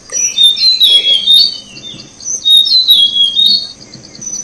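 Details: Tickell's blue flycatcher chicks being fed by their parents in Thailand: dense, high thin chirps and squeaky notes come in bursts about twice a minute's worth of rhythm, overlapping rapidly with a steady high hiss behind.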